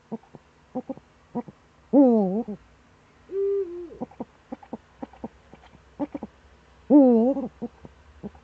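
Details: Eurasian eagle-owl, Eifel, Germany, early morning in September 2013. Two loud wavering wails about five seconds apart, with a flat sustained tone between them. Many short knocks and clicks sound throughout.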